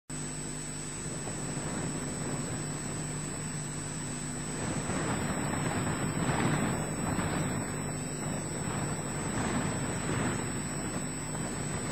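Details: Steady low rumble like wind or a distant engine, with no animal calls.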